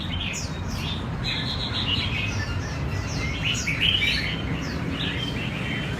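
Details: Captive red-whiskered bulbuls being trained for a singing competition give quick, bright chirped and slurred phrases, several overlapping throughout, over a steady low rumble of background noise.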